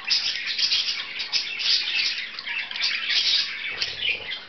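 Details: Two playing pet budgerigars chattering loudly indoors, a dense stream of shrill squawks, chirps and grating warbles without pause.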